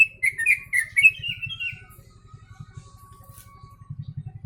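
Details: Yellow-vented bulbul song with sooty-headed bulbul imitation. A burst of quick, gurgling, warbled notes opens the clip and fades after two seconds. A steady low mechanical throbbing continues beneath and after it.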